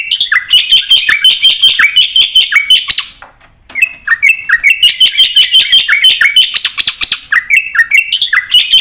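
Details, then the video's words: Javan pied starling singing with a varied, energetic repertoire, used as a lure and training master; dense chattering phrases mixing sharp whistles and downslurred notes, a short break near the middle, then more rapid varied chatter. "pakai suara burung jalak putih gacor full isian buat pancingan dan masteran pasti nyaut"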